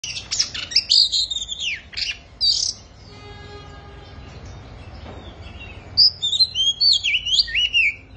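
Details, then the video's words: An Oriental magpie-robin at the start of its singing season sings loud, varied whistled phrases with sweeping and warbled notes. A quiet humming tone fills a brief pause before the song resumes. "Chích Choè Than Bắt Đầu Vào Vụ Hót Như Xé Vải"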